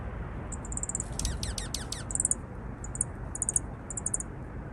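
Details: Visiting juncos give high, thin chirps, including a run of quick downward-sweeping notes that sound like laser zaps, over a low background rumble.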